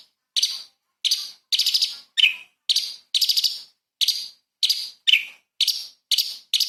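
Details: Light-vented bulbul in a training recording for magpie-robins, in the fiery 'tembakan' song style: sharp, bright chirp bursts, some trilled, about a dozen in seven seconds with short gaps between, against a clean, quiet background.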